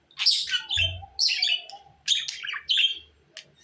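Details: Budgerigar chatter in quick, shrill bursts of twittering and grating notes, with a few quiet pauses between phrases.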